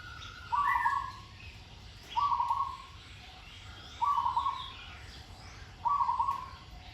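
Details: Zebra dove in training, its song described as sweet with a good rhythmic delivery: four short rolling, trilled coos, each about half a second long, repeated roughly every two seconds, with faint high chirps of other birds behind.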